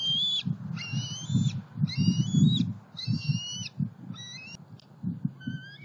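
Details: Southwest Florida bald eagles, July 2020, two juveniles out flying from nest to pond to snag: a run of six high whistled, slightly wavering notes, each about half a second, repeated steadily over a low rumble.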